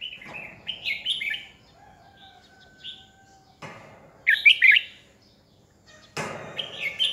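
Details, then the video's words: Decoy red-whiskered bulbul singing to stir rival birds into song, with short warbled bursts at the start and around four seconds, plus a steady low whistle-like tone and sharp clicks or knocks. "Chào mào mồi cực hay khi luyện giọng ép bổi sổ bọng 2020, Cách luyện chào mào hót căng lửa 2020"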